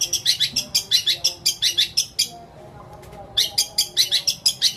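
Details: Long-tailed shrike singing long 'isian' mimicry fill in greja petir and kuntilanak style, meant to prompt shrikes that stop singing. Rapid bursts of high chirps, roughly five per second, break off into a one-second silence, then resume.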